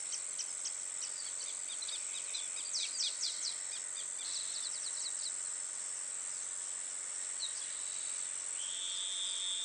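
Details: A family of masked water tyrants in Itatiba, São Paulo, Brazil, at 09:55 on 24 December 2016, gives bursts of short, sharp descending chips clustered over a few seconds, over a steady high insect drone.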